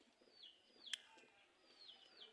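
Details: A pet bird gives two high whistles, each swooping downward, about a second apart, with a single sharp click between them over a quiet background; it is a hand-kept common myna playing and flying about in the morning.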